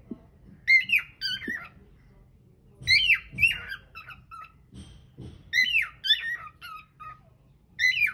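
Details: Pet cockatiel singing indoors in a small room, caught on hidden camera: bursts of whistled notes, sliding and falling, in short phrases about every two to three seconds, with soft low knocking sounds underneath.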